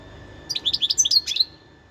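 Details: Wild European goldfinch delivering a brief, quick phrase of high, tinkling chirps rising and falling, about a second long, over faint low hum.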